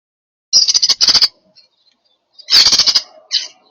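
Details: European starlings, while eating, give harsh, rasping rattles in two quick bursts of rapid pulses, followed by a brief softer note; nothing else is heard.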